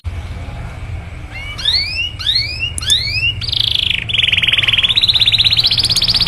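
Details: Canary song for stimulating other canaries: after a quiet start, three rising swept whistles, then a steady high rapid trill, about four notes a second, continuing to the end over low background rumble.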